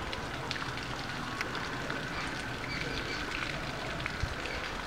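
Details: Steady rain-like hiss with faint pattering, and no animal call stands out.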